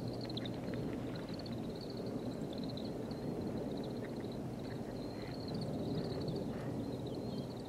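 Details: Grey-capped greenfinches recorded on 16 January 2023: a steady, dense twittering chatter of many birds holds a high band throughout, with a few brief lower chips and a constant low rumble of background noise.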